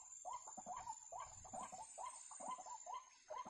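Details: White-breasted waterhen (wak-wak) during bird trapping, uttering quick groups of gruff, upslurred notes with brief pauses between bursts, over a quiet background.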